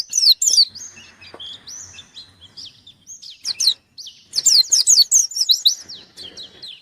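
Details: White-eye singing vigorously while seeking a rival: bursts of high, rapid, sharply sweeping chirps mixed with thin whistled notes, with a quieter stretch in the middle before a dense, loud final burst.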